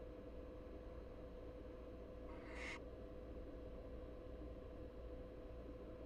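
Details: An American barn owl (Tyto alba pratincola) nestling, one of three asynchronously hatched chicks (two large, one much smaller) in a Florida nest box, gives a single breathy, hissing screech about half a second long over a low, steady hum.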